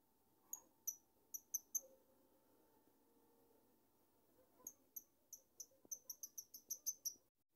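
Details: A cherished pet lovebird chirping: short, shrill, high downslurred notes, a few spaced beats apart, then a quicker run of rapid chirps near the end, over a faint steady low hum.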